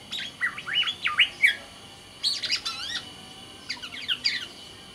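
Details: Black-naped oriole of the Sumbawa type, a kept songbird in full song: loud, looping slurred whistles that swoop up and down in three rapid phrases separated by short pauses, clear and strong.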